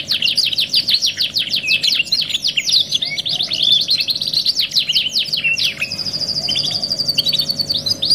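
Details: Domestic canary in full song, from a "2 in 1" masteran training recording: dense volleys of sharp descending chirps for about six seconds, then a long even high-pitched roll, a low mechanical hum faintly present.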